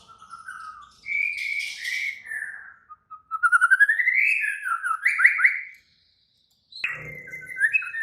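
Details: White-rumped shama in agitated, active song: slurred whistles rising and falling, a fast run of short rising notes into buzzy trilled phrases, a pause, then a lower whistled phrase with a brief thump.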